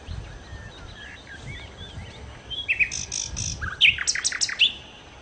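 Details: Nightingale song, used for luring birds: soft varied twitters give way to louder, emphatic phrases of high buzzy notes and sharp whistled slurs, delivered in short, irregular bursts.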